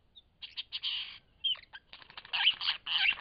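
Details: A lyrebird in Cape Liptrap Coastal Park sings a rapid, varied run of harsh, scratchy bursts and chattering phrases, broken by a few brief, clear, high whistles.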